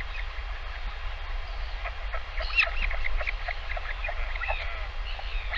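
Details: Chick of a northern royal albatross being fed by its parent on a live nest cam, giving rapid stuttering chatter of many short clipped notes, densest in the middle, over a low windy rumble.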